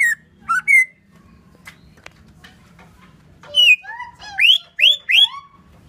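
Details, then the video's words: Greater green leafbird from Banyuwangi giving a few clear whistled notes, some sliding down, then a run of rising upslurred whistles near the end, over a low steady hum and scattered clicks. "Burung cucak ijo banyuwangi"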